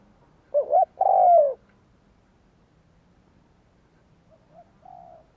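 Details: Spotted dove used as a lure for wild doves gives one loud phrase of two short hooked notes and a long descending coo, then trails off into faint, soft little coos.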